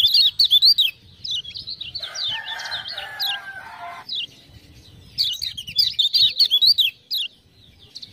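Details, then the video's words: Lemon-bellied white-eye, a Lombok tutor bird singing after ciak-ciak prompting: loud quick chirp series, a lower scratchy warbled passage in the middle, then renewed high chirping with crisp clicking ticks. "Kecial Kuning joss gacor"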